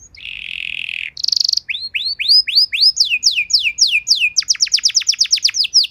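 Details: Canary training song, used as Indonesian pancingan to prompt canaries to sing: a low buzzy trill, a higher rattle, then rising upsweeps changing to quick downslurred whistles repeated about four per second.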